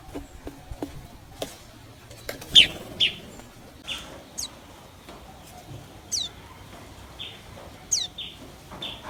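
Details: Common tailorbird at the nest as a parent brings caterpillars to feed the chicks; sharp high downward-sweeping chirps come singly and in pairs at irregular intervals, with soft clicks and rustling between.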